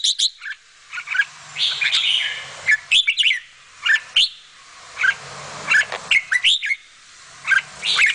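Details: Bulbul mother feeding her chicks: scattered bright chirps and short squeaky notes, some in quick pairs, over constant hiss and faint low rumble.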